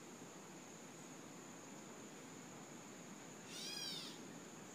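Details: In a backyard on 4 August 2014, a gray catbird gives one nasal, cat-like mew slurring downward over about half a second, against a steady thin high whine and soft background hiss.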